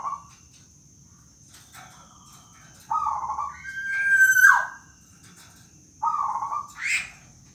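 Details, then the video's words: Local black-naped oriole uttering its moaning rintihan call: nasal mid-pitched notes, a strained squealing note that rises then plunges, and another nasal note followed by a rising squeak, over a constant high electrical whine. "Kepodang Emas Gacor suara rintihan kepodang emas lokal"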